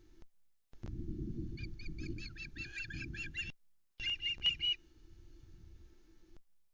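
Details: Fledged juvenile osprey calling for fish at a Loch Arkaig nest in August 2020; a quick run of short, clipped piping notes, then a brief harsher burst, with wind rumble underneath.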